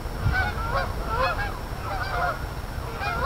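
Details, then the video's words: A flock of geese gives overlapping honks in bursts about once a second, nasal and wavering, with steady low rumble beneath. "Geese Goings On"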